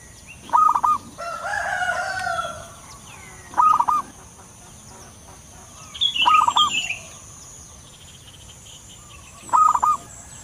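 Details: Lure recording of a wild local zebra dove: four short bursts of rapid, clipped cooing notes spaced roughly three seconds apart, with other birds chirping and twittering between them.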